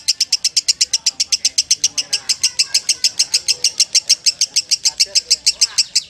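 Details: High, staccato chirps from a champion lovebird, rattled off in a steady rapid series, with soft background voices.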